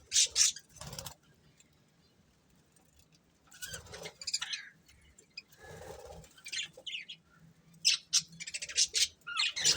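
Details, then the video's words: Budgerigars, a breeding pair, chirping in scattered bursts of high, scratchy chatter separated by quiet gaps, with a soft rustle near the middle that may be wing or cage movement. "Cute Budgies Chirping Sounds | Love Birds Breeding Pair"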